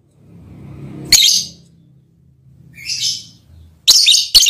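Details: Mating call from a lovebird to its male partner: a harsh shriek, a softer scratchy chirp, then two quick piercing squeaks, over a low background hum.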